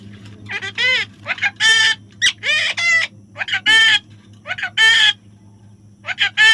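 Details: Baby parrot during taming, giving loud, harsh, nasal squawks in short bursts, some paired with quick softer notes, repeated about every half second to second, over a steady low hum.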